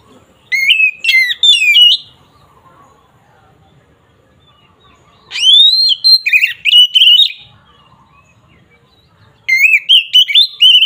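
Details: Oriental magpie-robin (kacer) in agitated 'ngeplong' fighting song for provoking rival birds; three bursts of loud varied whistling and warbling, each a second or two long, separated by quiet pauses of several seconds.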